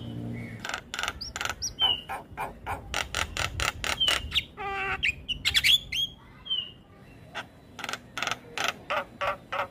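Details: Varied song of a young black-winged starling, with steady strings of short chirps broken by short whistles, a stacked nasal phrase and scratchy notes, then more regular chipping.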